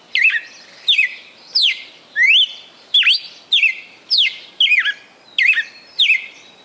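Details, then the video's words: Kept red-cowled cardinal in Fortaleza, Ceará, Brazil, delivering its 'perfect song', said to hold more than 20 notes: a steady run of bright whistled notes, each a quick swoop down or up, about nine in under seven seconds. "Galo de Campina "o canto perfeito""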